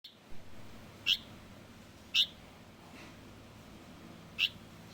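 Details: Juvenile light-vented bulbul calling: short, sharp high chirps, three loud ones roughly a second apart with fainter chirps between, over a low steady background hum.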